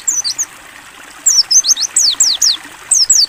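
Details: Mountain white-eye, clear ngalas training song: a few high, slurred chirps, a pause, then a quick string of loud downward-sweeping whistled notes, with light water sound behind.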